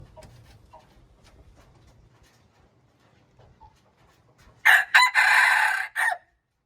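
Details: Junglefowl crowing, recorded March 19, 2025: after several seconds of faint background sounds, a loud harsh crow breaks out in short bursts followed by a long drawn-out note and a clipped final syllable.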